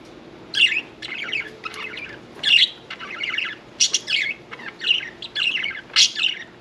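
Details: Bathing pet budgerigar, parakeet: lively warbled chatter mixing squeaky whistles, rasping notes and short chirps in quick uneven bursts, indoors.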